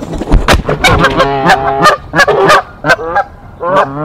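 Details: Nest-defending Canada geese in Decorah, 1 April 2024, confronting an intruder goose: loud, rapid overlapping honks and harsh nasal blasts, roughly one and a half per second, with scuffling noise between.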